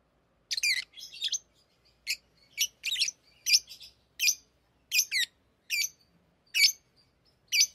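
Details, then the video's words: Tamed pet lovebirds singing and talking while playing with rings. Harsh, high chirps repeat steadily, some doubled, about a dozen over eight seconds, with soft twitters in the gaps. "Love birds Talking | Singing Sounds"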